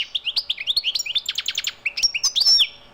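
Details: European goldfinch singing in nature: a rapid, liquid twitter of short upswept and downslurred high notes, bright buzzy chirps bunching together near the end, with a faint steady hum underneath.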